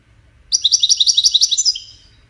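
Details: European goldfinch singing Widani-style song, played for young goldfinches to learn from: one rapid, tinkling trill of bright, evenly pulsed notes lasting about a second and a half, ending in a short slurred note.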